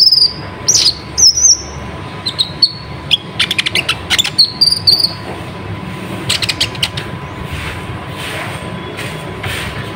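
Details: Kolibri ninja, the olive-backed sunbird, singing as a lure for young spotted sunbirds. High thin whistles and quick ticking notes in clustered bursts, fading to faint distant chirps in the second half.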